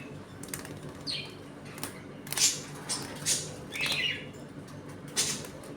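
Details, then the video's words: Home-colony budgies eating and playing give scattered sharp chirps and a few short warbled notes over a quiet indoor background. "Budgies Eating and play time in my home colony."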